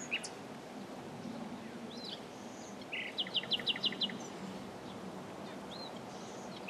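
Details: Common nightingale singing: a short, fast trill of about eight sharp, evenly repeated high notes, preceded and followed by brief isolated chirps against a steady low background hiss.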